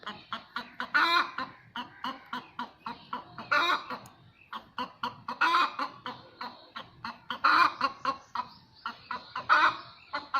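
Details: Hen cackling after laying an egg, quieter: quick choppy clucks in runs, each run peaking in a long harsh squawk, four such peaks in total.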